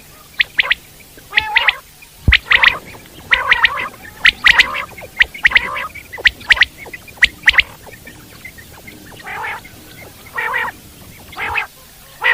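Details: Common quail in the wild delivering a long run of clipped liquid triple notes mixed with harsh nasal growls, steadily repeated roughly once per second.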